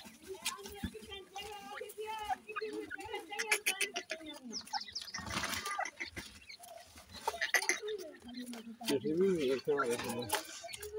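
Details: Several francolin (teetar) chicks calling while being fed, giving low warbling clucks and a burst of rapid wavering notes near the end, against scraping and rustling.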